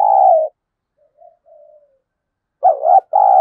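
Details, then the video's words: A spotted dove used to lure wild doves gives a long level coo, then faint soft coos, then a full phrase of a wavering coo and a drawn-out coo. "Tiếng cu gáy kích bổi hiệu quả, cu gáy Gọi. cu gáy thúc gù kích bổi"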